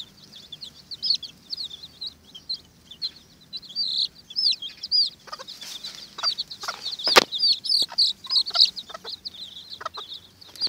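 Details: Watermaal bantam chicks contend for an earthworm, peeping high and rapidly in irregular bursts over about ten seconds, with pecking and scuffling clicks and one sharp knock.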